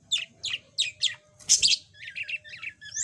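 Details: A yellow budgerigar, once mute, sings indoors: four evenly spaced downslurred chirps about every third of a second, a loud harsh burst, then softer rapid chatter and a rising whistle, over low hum.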